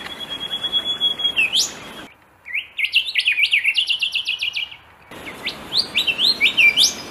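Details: Rufous and golden whistlers in Australia in a song contest: loud, rich whistling, a long steady note snapping up into a whip-like upslur, then a fast series of about fifteen ringing, rising notes.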